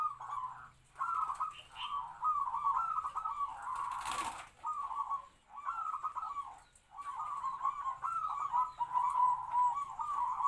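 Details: Local zebra dove kept as a trapping decoy, captive-bred about three to four years, medium-pitched voice used to lure wild doves; repeated trilled kwor-kwor cooing phrases in a steady series, with one brief loud rustling burst midway.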